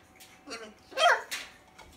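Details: Young Rubygold Macaw, one year old, kept as a pet and talking in a small room, with phrases such as "gimme kiss" and Romanian "ce faci"; a few quick, rough, voice-like syllables, the loudest one harsh and squawky, in under two seconds.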